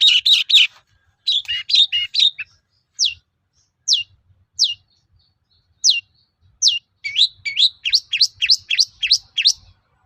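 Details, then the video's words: Long-tailed shrike song meant to make other shrikes answer: scratchy chatter, then clear downslurred whistles spaced about a second apart, ending in a quickening run of sharp chirps. "SUARA BURUNG PENTET GACOR AMPUH UNTUK PANCINGAN CENDET LAIN AGAR NYAUT"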